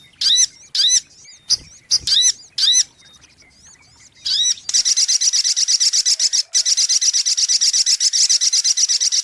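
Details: A brown-throated sunbird (sogok ontong) lure recording. Separate downslurred whistled notes and chips come first, then a sustained, rapid, high-pitched buzzy trill that lasts several seconds.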